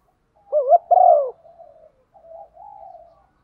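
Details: Spotted dove of the 'thổ' singing style, used to draw wild doves: one short two-part coo, a quick double note then a longer falling coo, trailing into quiet soft murmuring.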